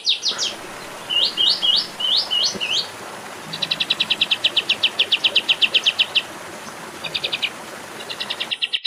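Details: Olive-winged bulbul: slurred high whistles in short groups, then a long fast chattering series of clipped notes. Brief rattling bursts follow, all over a constant background hiss.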